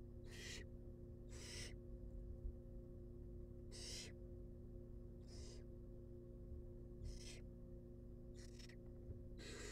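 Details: Several harsh snoring hisses from wild barn owl chicks being fed inside a research nest box, eight bursts at uneven intervals across ten seconds, backed by electrical hum.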